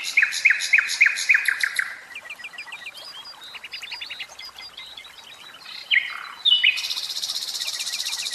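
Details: Caged common nightingale singing: a series of sharp rising notes repeated about three per second, then quieter clicking trills, rattling note runs, a falling slurred whistle and a loud buzzy churring finish.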